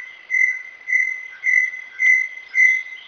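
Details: Rapid, regular whistles from a Brown Tinamou, known locally as Inhambu Guaçu, repeated close to twice a second on a steady pitch.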